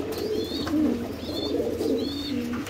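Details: Fantail pigeons, red-tailed suital domestic breed, at a Bangladesh pigeon farm coo in low, rolling overlapping murmurs, with a few thin high squeaks repeating about every second in the background.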